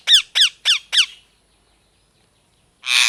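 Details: Four fast, piercing, descending parrot squawks in quick succession, then a pause and a harsher, broad, raspy scream at the end.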